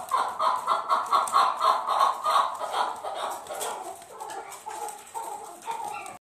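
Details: A chukar partridge in a fight pours out rapid, pulsing chuck notes near four per second, then slows to a few spaced, lower calls as the sequence dies away.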